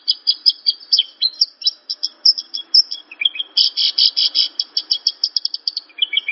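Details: Training song of a Javan bush lark for caged learner birds: chattering high phrases, a short lower slur, then a long burst of rapid, evenly repeated dense notes ending in a downward note.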